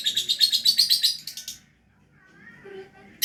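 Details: Lovebird singing actively (gacor): a fast burst of sharp, high, buzzy chirps, about four per second for a second and a half, then near silence with a faint lower whistle.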